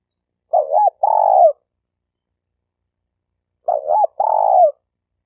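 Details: Spotted dove, the stuttering type, in a lure recording for training newly caught birds and as a hunting decoy: two clean phrases about three seconds apart, each a quick doubled note followed by a longer, steady mid-pitched coo.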